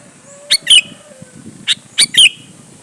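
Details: Sooty-headed bulbul in full energetic song, used to provoke other bulbuls to answer and sing: two clusters of sharp, bright chirps around half a second and two seconds, with a slurred whistled note ending each cluster and faint hiss between.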